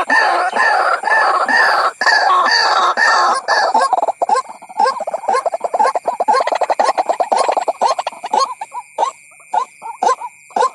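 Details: White-breasted waterhen lure sound for attracting ruak-ruak birds: a dense, frantic chorus of overlapping croaks that thins into separate repeated harsh notes about twice a second, with a steady background whine.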